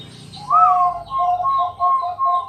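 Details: Bangkok zebra dove at night, singing to lure other doves into song: a rising coo followed by four evenly spaced soft coo notes over low rumbling background noise.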